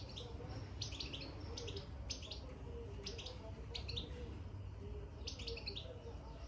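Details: European goldfinch in a cage after being placed inside, making quick paired high twittering notes in small bursts roughly every second, against constant low-pitched background hum.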